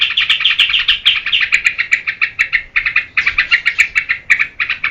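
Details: Yellow-vented bulbul in vigorous song for provoking and teaching other birds. Sharp chirps delivered very fast, about three per second, in uneven runs with short pauses, some notes sliding higher.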